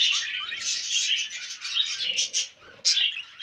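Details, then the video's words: Two male budgerigars, brothers kept as pets, during mating behaviour: a busy, warbling chatter of scratchy chirps and squeaks with brief pauses and a sharp final chirp. "Budgie Brothers Mating"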